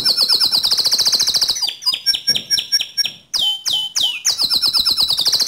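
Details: Gacor canary in vigorous, nonstop song, used to train other canaries: fast high rattling trills, a run of separate descending whistled notes, then two loud sweeping notes before the rapid trilling resumes.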